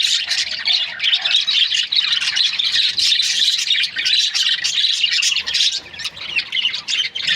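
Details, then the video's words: Busy chorus of budgerigar breeding pairs: rapid, irregular high chirps and buzzy squawks tumbling over one another throughout. "Budgies parrot chirping sound"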